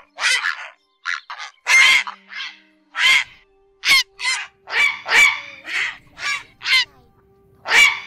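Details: Grey heron flock calls, the 'ét' and 'ọc ọc' sounds used as a night-netting lure in the August 2024 bird season. Loud, raspy, crow-like squawks repeat irregularly across the recording, with a faint low hum.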